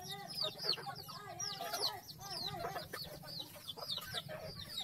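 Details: Chickens on a farm, contented while feeding: high downward-sweeping peeps repeat quickly over a bed of soft overlapping clucks, with a steady low hum underneath.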